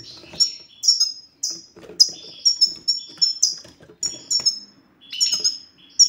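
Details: Male-stimulating European goldfinch song in the sitsita style, meant to make silent males sing: a fast, continuous twitter of high, bright chirps and downward-sliding notes, with rattly buzzes between phrases.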